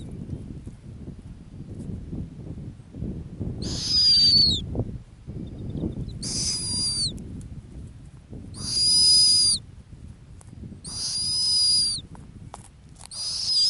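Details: A nesting female snowy owl on Arctic tundra in a low-lemming year gives harsh, hissing screeches with a thin whistled edge, each about a second long, every two to three seconds over a low wind rumble.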